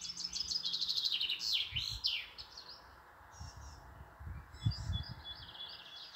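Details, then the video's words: A European robin sings high, thin, tinkling phrases that rise and fall quickly, with brief pauses between bursts and low rumbling thumps underneath; the listener jokes it is singing a birthday song. "Rotkehlchen singt für mich ein Geburtstagslied!"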